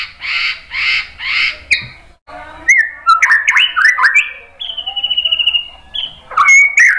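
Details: White-rumped shama song used to provoke other birds: three harsh buzzy notes, then varied whistled phrases and a fast even trill of high notes.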